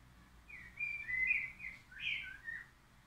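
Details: Crested lark giving brief whistled song phrases, a few sliding fluty notes rising and dipping, against quiet background noise.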